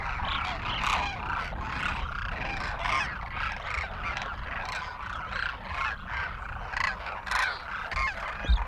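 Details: A large flock of demoiselle cranes feeding at village feeding arrangements in Rajasthan keeps up a dense, overlapping chorus of rolling, croaking trumpet calls with no pause, described as happy crooning sounds.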